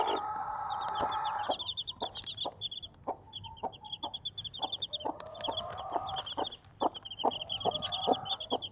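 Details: Desi mother hen with four baby chicks: the hen clucks in short low pulses, roughly two each second, under bursts of high, thin chick peeping; a drawn-out mid-pitched cluck-like note opens the clip.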